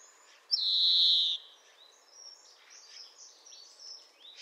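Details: European greenfinch (Chloris chloris) song: one long, flat, nasal wheeze held for about a second, followed by softer faint twittering notes.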